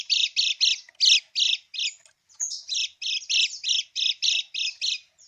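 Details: Lemon-bellied white-eye giving its krekek call, used as a lure to make silent birds answer. Harsh, buzzy chattering notes come in rapid runs of about four per second, with a brief pause midway and no other sounds.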